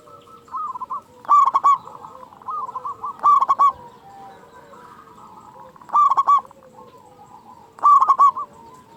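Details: Local zebra dove played to stir caged doves into calling; four loud bursts of rapid trilled coos stand out above a steady background of softer cooing from other doves.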